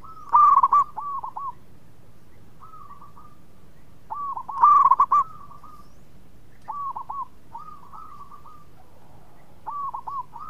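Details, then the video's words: Local zebra dove in full song, sweet-voiced, kept to prompt other birds to sing: two loud bursts of rapid, bubbling coos about four seconds apart, with softer rolling coo phrases between them from another, more distant dove. "PERKUTUT LOKAL GACOR SUARA MERDU TUKANG PENGUNDANG BUNYI"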